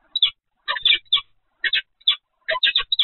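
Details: Peregrine falcon at the Evoluon site, 7 February 2020 at 15:55: harsh, rasping notes given singly and in quick pairs and triplets, with irregular gaps over three seconds.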